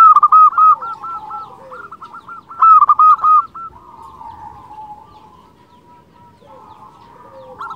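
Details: Local zebra dove song meant as a lure for wild zebra doves: two strong runs of rapid hooked notes early on, then fading, overlapping soft coos from other doves.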